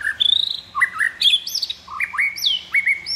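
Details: Loud, rich song of a white-rumped shama (murai batu): varied fluty whistles jumping between low and high pitches, upslurred and downslurred phrases, opening with a quick stuttering run of notes.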